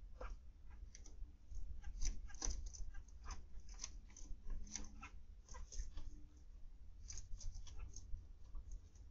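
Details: Several zebra finches in an aviary in the afternoon chatter with a busy, irregular stream of short nasal beeps and chirps, over a steady low hum.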